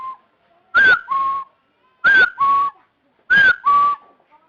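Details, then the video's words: Partridge calling: loud paired whistles, a slurred higher note then a flat lower one, repeated three times about every 1.3 seconds, with harsh, distorted edges and quiet gaps between. "เสียงนกกะทาดง suab yij dib tuaj zoo"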